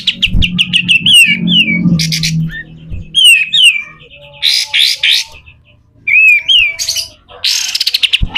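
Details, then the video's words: Vigorous pied triller singing in rough 'besetan' style for tutoring other birds: rapid chip series, falling whistled slurs, broad harsh rasps, and a faint low hum underneath at the start. "SUARA KASAR‼️katem gacor dor, masteran burung"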